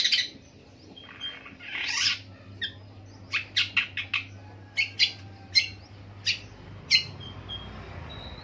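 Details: Long-tailed shrike imitating various birds. Harsh raspy bursts open the passage, followed by a string of sharp, separate high clicks and chips at irregular gaps, over a low background hum.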